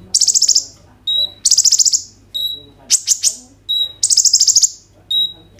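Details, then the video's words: Sunbird known as kolibri ninja, recorded by Oppo A37f phone for prompting other birds to sing: long rattling high trills broken by single thin whistles, each phrase roughly every one and a half seconds. "KOLIBRI NINJA GACOR FULL ISIAN ROLL TEMBAK, COCOK UNTUK PANCINGAN KONIN BAHAN BIAR BUNYI"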